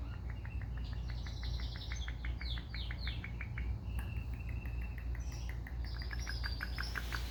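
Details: Indian ringneck parakeets playing indoors with a phone, recorded on a phone; a run of short, quick chirps and clicks repeated steadily, with several faint falling whistles in between and a low constant hum behind.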